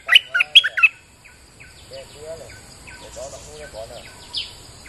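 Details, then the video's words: Bulbul during rain, a lure recording: a short, loud burst of four chirpy notes opens, followed by faint whistles and soft chattering calls in the background. "Suara pikat merbah lekir gacor"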